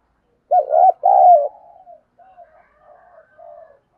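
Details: Spotted dove giving a lure call to draw other doves in: two loud, low, hollow coos near 0.5 and 1 seconds, followed by softer, trailing cooing notes.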